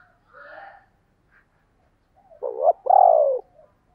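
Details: Spotted dove doing thúc and gáy gọi calls: a quieter blurred hooting at first, then a strong wavering coo leading into a long, gently falling coo.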